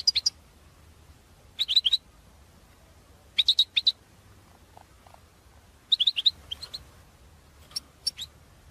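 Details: Goldfinch calls used for trapping lures: clusters of three or four sharp, liquid twitters repeated every one to two seconds, with a quiet low hum beneath.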